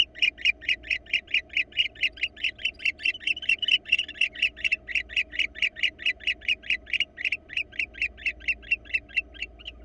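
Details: Florida nest-box camera records a wild barn owl pair. A long fast series of harsh, buzzy clicks, nearly four per second, swells slightly in the middle and then thins toward the end.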